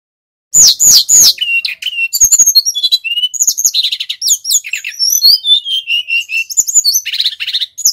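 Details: Male brown-chested jungle flycatcher from Bali, recorded as a trapping lure and master song: loud opening chips, then a steady flow of sliding whistles, buzzy rattles and high trilled notes.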